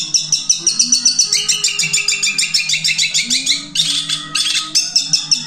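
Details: Long-tailed shrike song described as one breath with three tunes: fast high trilled notes in quick runs, shifting to harsher buzzy bursts near the end, with a continuous low humming tone beneath.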